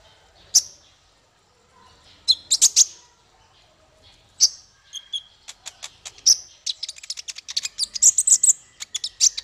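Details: Male konin song: scattered high chips at first, then an accelerating, dense run of very high, rapid ticking and twittering notes over the final seconds.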